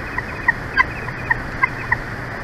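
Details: Bald eagle at the Big Bear Valley nest in California, 23 February 2024, 11:04; faint, evenly spaced short chips, about six in two and a half seconds, over a steady low background hum.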